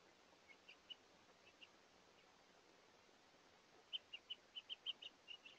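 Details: House Finch at a feeder during a day of hungry visitors: scattered faint chirps, then a brisk series of about ten clear, short chirps near the end, with soft background hiss.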